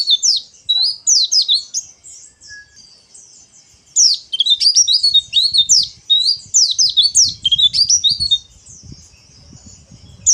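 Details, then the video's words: Harsh ngeriwik chattering of a white-eye, played as a lure for other birds: near-continuous run of sharp, high, scratchy notes with brief pauses, over a soft low rumble in the background. "PLECI NGERIWIK KASAR"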